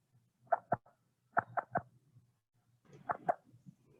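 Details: An irritated, unhappy Great Horned Owl clacks its bill in warning: sharp, hollow snaps in quick pairs and triplets, with short pauses between bursts, over a faint low hum.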